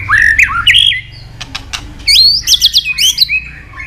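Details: Training song of a white-rumped shama: twisting whistled phrases with sharp upward jumps, a short quiet break with a few clicks, then high looping whistles and chatter.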